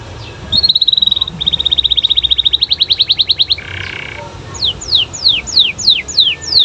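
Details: Canary singing vigorously so that other canaries will reply: a fast even trill stepping up in pitch, a short harsh buzz, then loud descending sweeping notes spaced about half a second apart.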